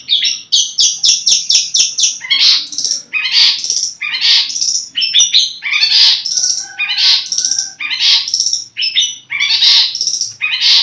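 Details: Long-tailed shrike (cendet), a kept cage bird, giving loud raspy scolding notes, about one a second, mixed with quick chips and squeaky twitters in a varied, uneven sequence.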